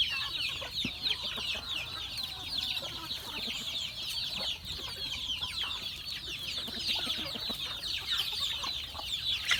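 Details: Many chickens calling while being fed on a farm: an unbroken wash of shrill, rapid, overlapping cheeps and chirps. Occasional sharp taps and knocks sound underneath.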